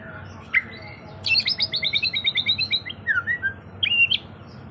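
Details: White-rumped shama in vigorous song, used as a lure to prompt singing: a sharp note, then a rapid rhythmic run of about a dozen paired high chips, a slurred whistle and a final flourish.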